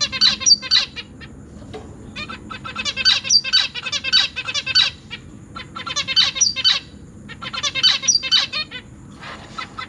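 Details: Newly fledged zebra finch chicks begging while parents feed them in a cage, with three older juveniles, August 2023; loud bouts of frantic, buzzy chattering squeaks, four surges in ten seconds separated by brief pauses.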